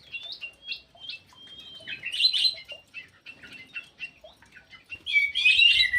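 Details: Ground thrush singing in an aviary delivers a lively stream of thin whistles and chattering warbles that builds into louder, dense twittering phrases around the middle and again at the end, in a near-continuous song.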